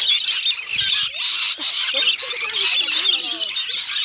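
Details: Rainbow lorikeets swarming for food on north-east Magnetic Island, off Townsville, Australia, producing a relentless piercing screech chorus that dips briefly, mixed with human voices and handling noises.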